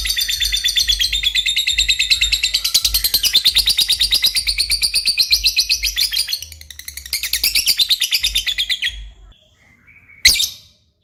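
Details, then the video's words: Lovebird in energetic chattering song, a long run of rapid high pulsed notes with brief dips in loudness, ending in near silence broken by one sharp squeak. "burung Lovebird paling keren dan gacor"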